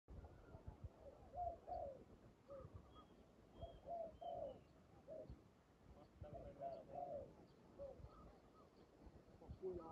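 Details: Spotted dove calling during trapping with a decoy: soft low coos in short grouped phrases, repeated irregularly, with faint thin high whistles from other birds in the background.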